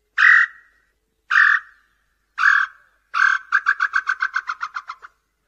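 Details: Tataupa tinamou song for attracting male and female birds: four spaced whistles with falling tails, then an accelerating series of about a dozen short notes that slowly drop in pitch. No other sounds are heard.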